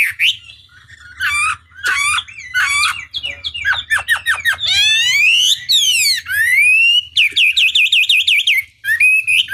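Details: Chinese hwamei tutor song used to provoke rivals to respond, varied and loud: separate whistled bursts, fast descending sweeps, broad rising slides, then a quick wavering trill.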